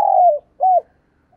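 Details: Decoy spotted dove calling to attract wild doves, Vietnam: a long steady coo sliding downward at its end, a short pause, then a brief arched coo note. Background otherwise silent.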